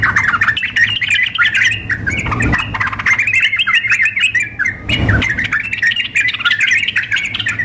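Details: Contest-simulation mix of sooty-headed bulbuls, a female calling the male and a male in full frenzied song; continuous tumbling chirps and squawky notes, briefly broken by two dull knocks.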